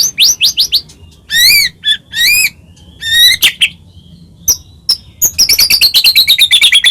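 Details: White-rumped shama singing to provoke other birds: high quick chips, rich double-toned whistled phrases, scattered clicks, then a rapid high trill that gradually drops in pitch.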